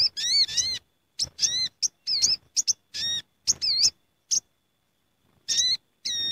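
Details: Gathering flock of sooty-headed bulbuls, a lure sound: lively bursts of sharp chirps mixed with warbled, bending notes, busy for four seconds, then near silence before two more rich calls.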